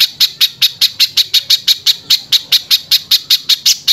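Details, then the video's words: Spiderhunter in constant harsh song, used as a training recording for other birds: squawky, buzzy high notes in a fast, steady run of about twenty across four seconds. "BURUNG PIJANTUNG GACOR SUARA KASAR FULL TEMBAKAN"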